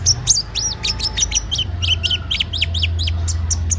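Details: Brown-throated sunbird (konin) in vigorous song, used as a lure: rapid series of thin, high chirps and short falling whistles repeated several times per second, with a low hum underneath.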